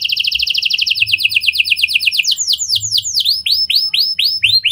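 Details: Canary performing lovebird and prenjak style song as a lure for other canaries: a fast high trill, a slightly slower trill, then rolling loud arched notes repeated about twice a second.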